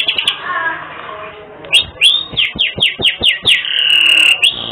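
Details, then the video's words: Prolific canary singer with distinctive phrasing, suited to tutoring caged birds: soft warbling at first, then a string of loud swooping notes about four per second, ending in a sustained buzzy trill and a final whistle. "Masteran Kenari 3 Menit Langsung Gacor"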